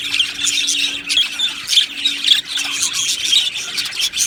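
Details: Budgies in an aviary colony giving repeated short squawks and bright chirps that pulse roughly every half second over a constant murmur of twittering, plus a faint low hum.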